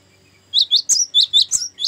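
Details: Sharp high chirps from a Cinereous tit's long ngerol song, used as a lure and tutor song, given in a fast regular run of about eight notes after a brief silence.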